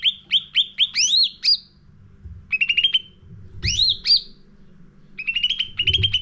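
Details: Sooty-headed bulbul lure song for training caged birds: runs of quick chirps lead into loud swooping whistles, repeated in three phrases with brief pauses between.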